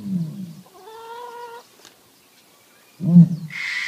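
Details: A male ostrich claiming his territory behind a 2 m fence gives deep, muffled booms, low and hollow like a distant drum, with a brief tonal note between and a short hiss at the end.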